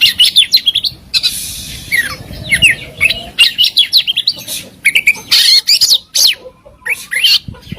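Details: Oriental magpie-robin, a contest songbird, in a masteran of fills and shots: rapid harsh chattering bursts with quick rising and falling whistled notes, delivered in close clusters.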